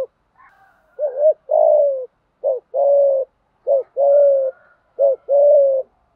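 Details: Fighting coo of a spotted dove, played to provoke decoy birds into quick singing: a series of low phrases, each a clipped note and a longer level coo, repeated roughly every 1.3 seconds, with faint higher notes early on.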